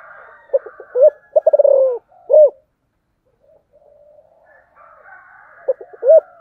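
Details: Spotted dove singing the special 'giọng thổ' song: short notes, a rapid stuttered coo run and an arched coo, then a faint wavering hum before the phrase begins again.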